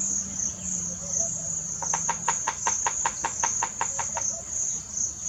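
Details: Loud drumming by a bearded woodpecker, recorded in Botswana in March: some fourteen crisp, rapid taps in a steady burst lasting over two seconds, with a continuous high-pitched cricket-like trill throughout.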